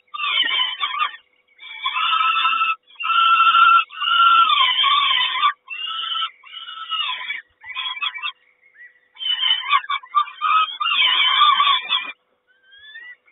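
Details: A peregrine falcon mother brings breakfast to the nest in Kawęczyn, 3 June 2022. Raspy calls come in bursts of a second or more, some clipped and stuttering, then fade to quiet near the end.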